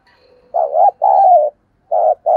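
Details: Spotted dove coo used to stimulate a decoy bird: a low, husky, rolling phrase of three connected notes, then a short pause and further coos starting, with no other sounds present.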